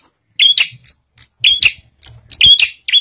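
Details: Bar-winged prinia song used as a lure to make other prinias sing: bright, chirpy phrases of sharp notes with a thin whistle, repeated roughly once a second, with brief gaps and faint low hum between.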